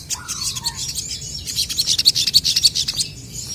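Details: Crested jays calling back and forth, a lower downslurred whistle at the start, then a quick series of high, sharp chirps repeated several times a second before a brief lull.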